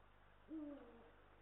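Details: A deep, clear hoot from a Eurasian eagle-owl pair at a nest in Estonia, a male and a female on a live nest camera in March 2022; a single short hoot that dips slightly, over faint background hiss.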